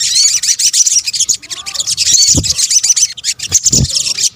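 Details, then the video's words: Combined sunbird calls, locally called sogok ontong in Indonesia, used as a lure to draw in birds; dense, continuous high-pitched twittering and fast chattering notes with a few faint low thumps in the background. "kombinasi suara sogok ontong"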